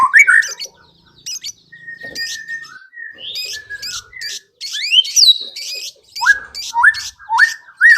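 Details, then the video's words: White-rumped shama singing as a lure to coax other birds into song: scattered sharp chips and buzzy bursts with brief flat whistles, then a closing series of rising, slurred whistles. "PANCINGAN MURAI BATU AGAR CEPAT BUNYI BONGKAR ISIAN"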